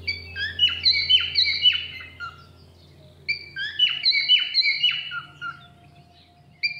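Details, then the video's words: Grey and white cockatiels, not talking to each other, give two bursts of quick, bright chirping whistles, about four notes a second, over a low indoor hum and faint music. "When grey and white cockatiel are not talk to each other"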